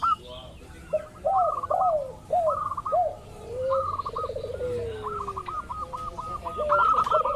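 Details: Local zebra dove, used to lure others into calling: series of curved coos and high rapid note strings, with a long falling trill midway.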